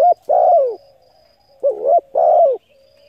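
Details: Spotted dove coo meant to stir decoy birds into calling: a long falling coo, then a wavering note followed by another long descending coo, low-pitched and mellow over a faint constant high tone.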